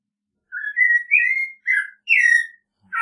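American robin caroling: four short, clear whistled phrases, some rising and some slurring down, each about half a second, with brief pauses between.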